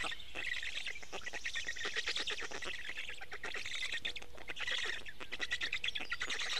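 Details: Black stork chicks at a nest in Estonia begging while a parent feeds them fish, early morning 29 May 2018; dense, rapid, rasping broadband pulses run continuously without pause.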